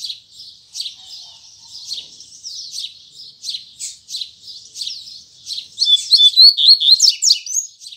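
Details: Double-collared seedeater opening its 'tui tui zel zel' song in the morning: a steady series of quick buzzy notes building into a loud, rapid, whistled warble near the end.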